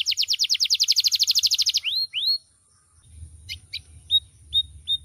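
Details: Canary, described as loud, varied and melodious and often used as a tutor for other birds, singing a fast high trill of about twenty repeated notes, then two rising whistles, short sharp notes and a series of brief chirps.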